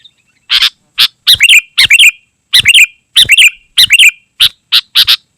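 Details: Sooty-headed bulbul song, used to lure wild birds and as a tutor for caged birds: a run of separate bubbly, slurred phrases, roughly one every half second, mixed with short harsh notes.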